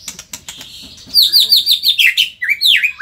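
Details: Indonesian white-rumped shama in lively song: a rapid string of sharp, high downslurred notes, about six a second, followed by slower, deeper swooping whistles.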